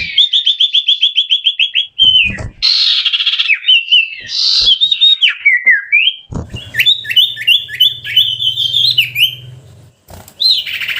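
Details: Common iora singing a chattering variation: a fast series of repeated whistled notes, harsh noisy bursts, then varied rising and falling whistles and rhythmic looping phrases over a low hum.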